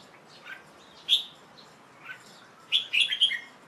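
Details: Young male Red-whiskered Bulbul singing in the late afternoon of 1 January 2012, after a bath and before being covered to rest: a few short, sparse chirped notes with quiet gaps, then a quick burst of bright chirps near the end.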